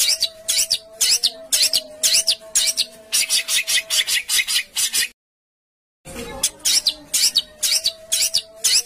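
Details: Rough 'besetan kasar' bird sound meant for training caged songbirds and contest birds: irregular scratchy bursts, roughly two per second, over a steady low whine, with a short pause midway.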